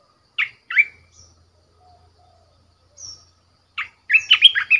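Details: Decoy red-whiskered bulbul in a cage, giving two short slurred notes, then a pause with a faint high note, then a quick warbled burst of tumbling whistles. A low soft rumble sits underneath.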